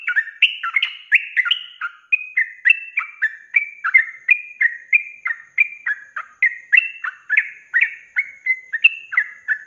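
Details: Sooty-headed bulbul in energetic 'ropelan' song, recorded as training material for cage birds: a long unbroken run of bubbly, slurred whistled phrases, fast and slightly irregular, varying a little in pitch throughout.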